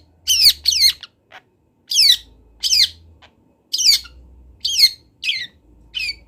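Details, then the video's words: Training recording of a local long-tailed shrike from Kendal: grating squawks with steep falling tones, often doubled, spaced by silent pauses of about half a second, a low hum faintly present. "MASTERAN CENDET TROTOL BELAJAR BUNYI | CENDET LOKAL KENDAL"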